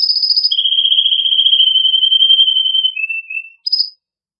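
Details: Male canary's strong, excited song aimed at encouraging female and male canaries to mate: a high trill shifts into a long steady pulsing roll, then lower short trills and a final high burst.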